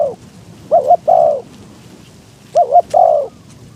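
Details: Decoy spotted dove cooing to attract wild doves in strong wind: two phrases of a quick paired note then a long descending croo, with faint clicks and low rumble behind.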